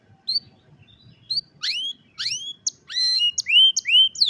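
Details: Cellphone recording of a canary singing: a few soft high notes, then a quickening run of bright upward-sweeping whistles, about two or three per second, with quiet low hum beneath.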